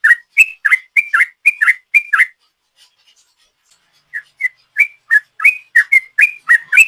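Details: Sooty-headed bulbul singing the long 'ropel' style prized by keepers, played as a lure: quick bursts of rich whistled notes, a near-silent gap of about two seconds midway, then the rapid whistling resumes.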